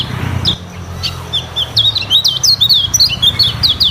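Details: Lemon-bellied white-eye singing its varied training song: a few scattered high notes, then a quick series of sharp slurred chirps, over a low steady hum.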